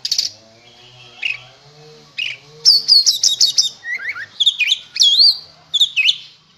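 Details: Oriental magpie-robin, contest-ready, in full song: scattered chirps, then rapid bursts of loud whistles, sharp trills and downward slurs. A low hum sits in the background.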